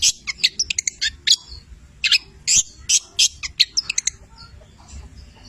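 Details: Long-tailed shrike, 'petir' style from Cililin, singing a song rich in imitated labet and canary notes; fast clusters of shrill, high chips give way to louder spaced harsh notes, then fade to quiet.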